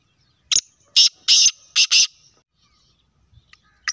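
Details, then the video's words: Black francolin calling: a harsh run of five short, grating, broadband notes packed into about one and a half seconds, the third note longest, followed by near silence with a faint pair of clicks at the end. "Kala teetar ki awaz"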